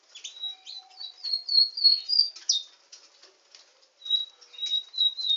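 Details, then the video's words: A canary delivers a run of sweet, clear whistled notes at a steady high pitch, broken by a sharp chirp, then resumes with more repeated whistles. "Nightingale singing canary"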